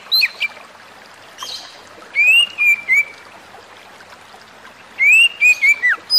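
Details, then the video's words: White-rumped shama, song said to agitate other shamas and help stressed birds recover: two separate bursts of bright whistled notes, rising slurs followed by quick descending chips, separated by a pause of steady background hiss. "burung kacer lain dengar suwara ini pasti langsung emosi"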